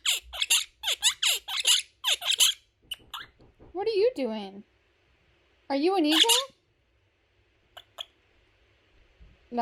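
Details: A pet male monk (Quaker) parakeet chatters playfully in quick, harsh, squeaky bursts, then drawls two wavering, voice-like phrases of mimicked speech such as "what are you doing", with brief sharp squeaks between them.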